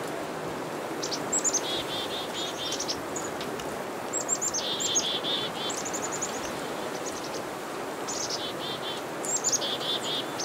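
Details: Several black-capped chickadees scold a northern pygmy-owl with about five bursts of high, sharp notes and strings of rough buzzy dee notes, some overlapping, against constant broadband hiss.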